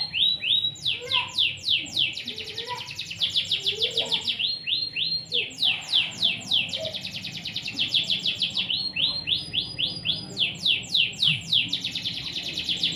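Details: Canary singing in gacor style, energetic and nonstop: long bursts of fast trills and quick descending sweeps, high and piercing, with only brief pauses between phrases over a faint low background hum.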